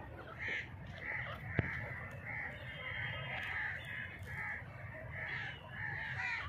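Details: Dhakni teetar, the grey francolin: a steady run of short, ringing, even notes repeated about twice a second over a constant low rumble of background noise.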